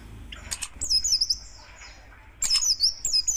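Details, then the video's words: Oriental white-eye, buxtoni form, giving rough 'tembakan' song as a fast, dense tutor recording. Two short bursts of high, quick, twittering zigzag notes, with soft rustling and fluttering between them. "Tembakan Kasar Buka Paruh Burung Pleci"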